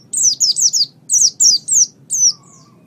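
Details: White-eye song for training caged birds, suited to morning or evening. Short bursts of sharp, high, down-slurred whistled notes in quick groups of three or four, with brief pauses between groups, ending in a fainter thin note.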